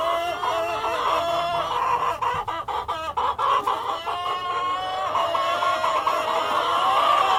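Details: Cockerel and hens calling together, a dense chorus of harmonic clucks and drawn-out cackles around the middle of the range, with a run of rapid clipped clucks near the middle and continuous overlapping voices throughout.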